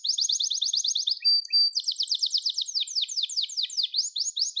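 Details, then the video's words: Loud Gloster canary song: even rapid trills, a short level whistle with chips, then further rolling trills of sweeping notes continuing to the end. "Gloster Kanarya Sesi Ve Ötüşü"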